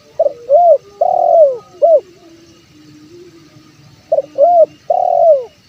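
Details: Spotted dove (tekukur) call used as a lure for wild birds: loud, low hollow coos in short phrases, a quick rising-falling note then longer drawn-out falling coos, repeated after a soft pause.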